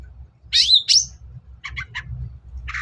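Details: Long-tailed shrike, a lure recording for coaxing quiet birds to call: two loud harsh screeching notes, a quick trio of short chips, then a rough buzzy note, with a low background hum throughout.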